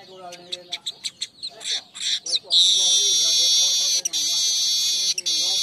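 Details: Weaver song used as a lure and master song for training birds. Short stacked chattering notes give way to a long, high, sizzling buzz with brief breaks.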